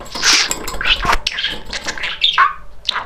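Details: A talking male budgerigar, described as very chatty and funny, babbles indoors in a rapid run of scratchy, chirpy syllables. High squeaky notes and short rasping bursts tumble together with brief gaps, with no other sounds clearly heard.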